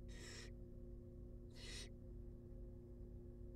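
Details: Two drawn-out, noisy hissing shrieks from wild barn owl chicks being fed in a nest box, spaced about a second apart, over a constant low hum.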